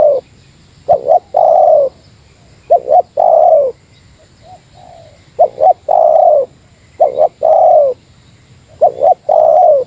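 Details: Spotted dove, Meratus type, calling against a rival as a decoy: repeated deep soft phrases of two quick notes and a prolonged falling coo, five or so phrases with a faint short coo in one pause.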